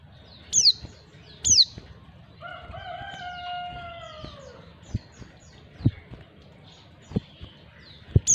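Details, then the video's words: Calling female white-eye luring males: two quick, piercing downward-swept notes, then a drawn-out lower crowing call from another bird. Scattered clicks and taps follow before one more high sliding note at the close. "panggilan pleci betina. pleci jantan auto nyawut"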